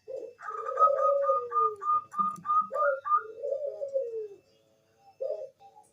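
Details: Zebra dove of the Bangkok type, a lure recording meant to make other doves answer and sing: soft mid-pitched coos with a rapid stuttering trill run near the start, then drawn-out falling coos and brief later notes.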